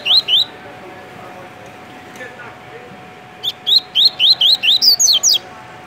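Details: Tui-tui song from a captive double-collared seedeater in Rio de Janeiro: two quick upslurred notes, a three-second lull, then a full run of about ten whistled rising notes finishing higher.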